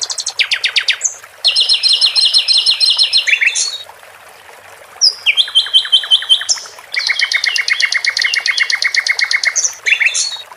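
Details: Varied song of a caged sikatan londo flycatcher: repeated bursts of fast pulsed trills at shifting pitches, with sweeping slurs between phrases and short silent gaps.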